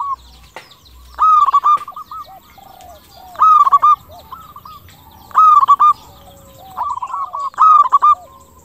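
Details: Zebra dove of local stock singing to lure other doves into answering; four rolling phrases of bright, rapid staccato coos, each trailing into softer hooked notes, repeated roughly every two seconds.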